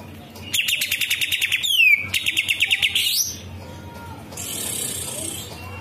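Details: Singing green leafbird delivering kapas tembak filling in its song: rapid pulsed high trills, a swooping downward slur between them, then a rising whistle, followed by quieter hissy background.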